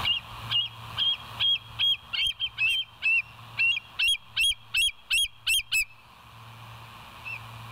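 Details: Bald eagle at the West End nest, live camera, 21 September 2023, 06:55: a long, shrill, whistled chatter of about fifteen rapid piping notes, some doubled or wavering, over six seconds above a constant low electrical hum.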